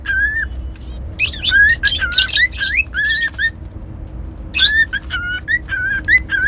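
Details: Pet cockatiel whistling: clear, slightly rising tonal notes, some with a quick upward flick, come in bursts, mixed with short harsh chirps, over a low steady background hum.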